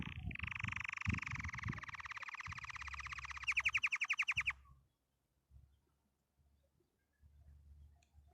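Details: Canary singing happily: a long, rapid trilled roll of repeated notes lasting about three seconds, switching to a faster, louder rattling trill before stopping, with low indoor thumps and rustling underneath.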